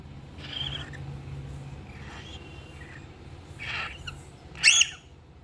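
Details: Baby cockatiels making little sounds. Scratchy, hissing bursts rise in loudness over a steady low hum and end in a sharp rasping squeal.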